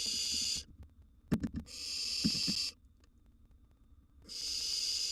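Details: Wild barn owl chicks in their nest box during feeding, a mouse delivered while one eats a large gerbil. Loud sustained rasping hisses lasting one to two seconds, broken by brief taps and rustles.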